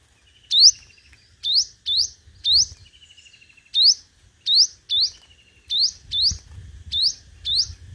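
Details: Competitive lure singing by a sunbird called hút mật 5 màu: sharp, bright upslurred whistles in irregular bursts of two to four, a faint trill between, and a light low rumble.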